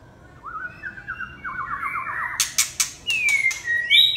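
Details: Red-whiskered bulbul song starting softly with a rippling, stepwise warble that climbs in pitch, broken by loud sharp clacks, then finishing with clear sweeping whistles.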